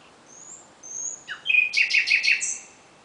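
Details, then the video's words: Singing nightingale at night: two thin, high drawn-out whistles, a rising slur, then a loud burst of rapid, repeated sharp notes, about six in a row, ending on a high whistle. "Κελάηδημα Αηδονιού στη νύχτα ( Nightingale )"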